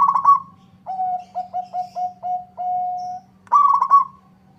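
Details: A zebra dove of local stock sings eagerly, prompting a rival to answer. The opening rolled trill gives way to about seven clipped coos, the last one long and level, then a second rolled trill. A faint hum continues.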